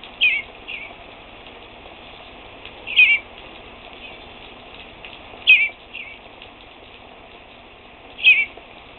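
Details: Fledgling bluebird at a screen door peeping persistently: thin descending high peeps, often doubled, repeated roughly every two and a half seconds over a faint steady background hiss.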